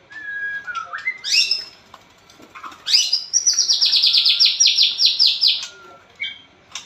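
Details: Caged white-rumped shama in full loud song: clear whistled notes and upward slurs, then a rapid run of high repeated chips lasting about two and a half seconds, closing with short whistles; no other sounds.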